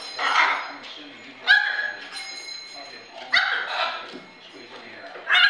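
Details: Hyacinth macaw playing with others on a kitchen play area gives harsh, raspy squawks and grating bursts, about four over several seconds, with softer throaty chatter in between.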